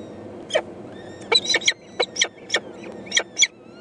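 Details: Four peregrine falcon nestlings (eyasses) begging their mother for food, recorded 14 May 2012 during a feed: rapid series of rough, scratchy screeching calls, often in doubled bursts, about every quarter second, with soft high bird whistles in the background.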